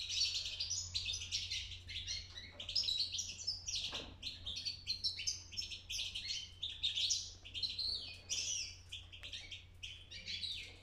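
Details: Young European goldfinch practising its song: a long, nearly continuous stream of bright, liquid twitters and trills with a brief pause near the fourth second, over a low background hum.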